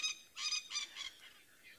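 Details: Coqui francolin on an evening safari drive on 17 Dec 2022, after warm rain with thunder still rumbling, gives a run of hoarse, nasal, cackling notes about three a second, loud at first then trailing off.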